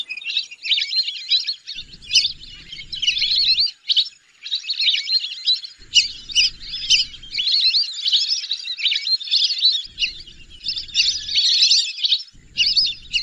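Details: Lesser whistling ducks keep up a long, dense chorus of high, squeaky whistles and twitters, pulsing in louder and softer waves, while a low rumbling noise comes and goes in the background.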